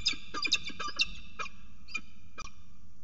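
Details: Peregrine falcon pair at CSU Orange on 19 July 2019, the male arriving with a food gift for the female: a burst of sharp, harsh, ringing calls that then slow into a few spaced notes over a faint low hum.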